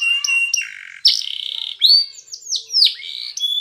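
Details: Spanish Timbrado canary singing for training a non-singing canary: short held tones that step between pitches, a bright buzzy burst, then a few loud sweeping downward slurred notes, all high and clear.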